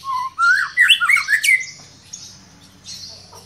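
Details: White-rumped Shama, agitated by a lure recording, unloads its full song repertoire: a low whistle, then a rich, loud tumble of swooping and rising notes, followed by softer, drawn-out high tones.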